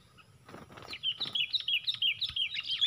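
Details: Four Sooty-headed bulbuls against one in a fight during lure trapping; after rustling, a run of clear, sharp notes repeated rapidly and evenly, rising into a denser flurry.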